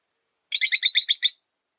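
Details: Caged rosy-faced lovebird, a lone bird whose partner died, kept by a window. It gives a quick burst of seven sharp, bright chirps in under a second, with nothing else audible.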